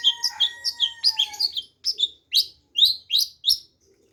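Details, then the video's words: Long-tailed shrike singing: a rapid run of sharp, scratchy chirps and squeaky notes at high pitch, with two steady thin whistled tones underneath at first, then spaced harsh chips about every half second. "Kicau Burung Centet Pastol"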